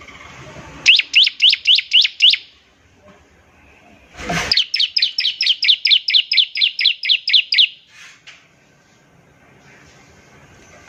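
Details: Bar-winged prinia in full ngebren trilling song, used as a lure to get other prinias singing: a rapid run of about eight sharp high chirps, a loud click, then a longer steady series of some fifteen repeated notes.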